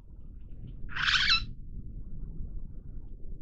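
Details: Long-tailed glossy starling giving a single harsh, rasping burst about half a second long, with a low rumble of background noise throughout.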